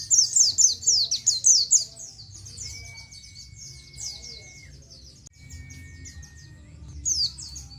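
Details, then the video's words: Oriental white-eye (pleci) ngalas song for tutoring captive birds: an opening two-second burst of fast, high chirps, then quieter scattered twitters with a thin steady tone and a final short chirping burst. "Ciet ciet ciet. suara burung pleci nGalas full materi"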